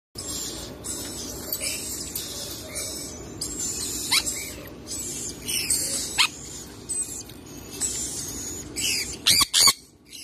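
Sun conure giving harsh, high, screechy squawks in irregular bursts, a few loud sharp shrieks near the end over steady background hiss.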